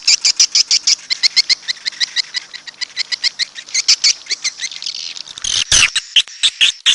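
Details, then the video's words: Red-nest edible-nest swiftlet calls: evenly spaced sharp, high chirps pulsing about four times a second, then a brief loud rustling burst near the end before the chirping resumes. "SUARA BURUNG WALET"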